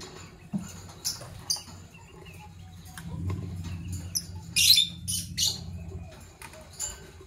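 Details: Pet Fischer's lovebirds, a parblue violet and a pastel green opaline, chirping in the morning: scattered short, shrill, high chirps, with one louder harsh burst midway. A faint low hum runs underneath.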